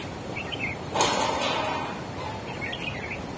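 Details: Red-whiskered bulbul, wild-caught, dueling in song with another bird: a short warbled whistle phrase, a loud clattering bang, then another similar bubbling phrase near the end.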